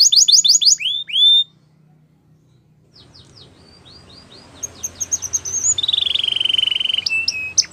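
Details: Belgian canary song in bursts: a quick series of falling whistled notes, a pause, then scattered chirps and a long steady whistled trill ending in sharp clicks, with faint background hiss.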